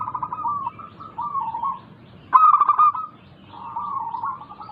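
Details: Local zebra dove singing, used as a lure to get lazy caged doves to sing: drawn-out wavering coos, then a louder burst of quick stuttered notes near the middle, then more soft cooing.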